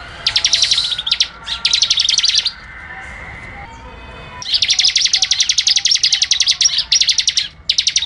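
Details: Rapid 'ngebren' song of a ciblek, the Bar-winged Prinia: long bursts of sharp, high, evenly spaced chips, broken by a short pause with faint background noise before a longer, denser volley.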